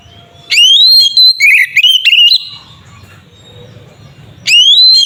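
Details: Kacer, the Oriental magpie-robin, in a fierce 'ngeplong' fighting song meant to rile rival birds: a rising whistle leads into a tumbling run of varied, slightly buzzy notes. A quiet pause with low hum follows, then another rising whistle.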